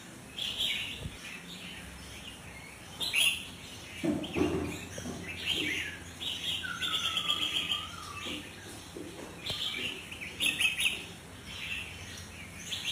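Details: Song of an albino sooty-headed bulbul: bright, bubbling phrases in quick succession, plus a lower, drawn-out falling whistle from another source and a few soft bumps.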